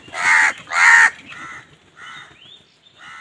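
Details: Crows fighting over food give loud, harsh caws, two strong broad calls in quick succession followed by three softer, shorter caws spaced about half a second apart.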